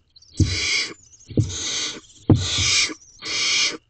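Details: Wild barn owls in a nest box at 1:27 am on 2/7/23, the female staying with the owlets as food is given to one: four long harsh rasping hisses, each opening with a low thud.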